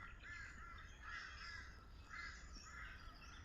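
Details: Torresian Crow at Sandy Camp Rd Wetlands, Wynnum West, southeast Queensland, giving four nasal, drawn-out caws, roughly one a second, faint against a low rumble of wind.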